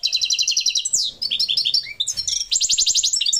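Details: Parva goldfinch song: an unbroken stream of rapid, high, chattering twitter notes with a brief buzzy note, quick descending slurs, and steady repeated chirps.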